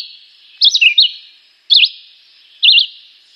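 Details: Chivi vireo, a small green migratory bird, singing a simple, repetitive but melodious song: short warbled, looping phrases repeated about once a second over a steady high-pitched hiss.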